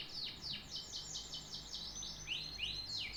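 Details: Canary song with fast downward-sweeping notes, a buzzy rolled trill, then several bright upslurred whistles near the end.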